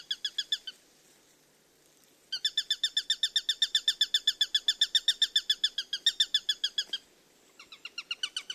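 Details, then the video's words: Bird chirping in a relaxing nature recording: a short burst of rapid chirps, a pause, then a long run of quick, evenly spaced sharp notes for nearly five seconds, followed by a quieter restart. "Birds Chirping Sounds"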